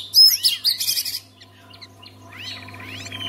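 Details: Oriental magpie-robin song played to prompt other magpie-robins into singing: loud sharp whistled notes and rising-falling slurs in a quick burst, then fainter chirps, over a steady low electrical hum.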